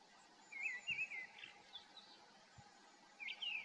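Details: A mistle thrush sings two short, fluty whistled phrases about two seconds apart, with faint high calls of sombre, Eurasian blue and great tits in the background.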